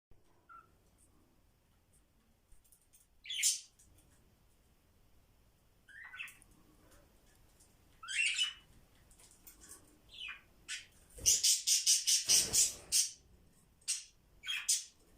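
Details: Two bonded budgerigar companions interacting playfully give scattered high, scratchy squawks and chirps, ending in a fast burst of harsh chatter.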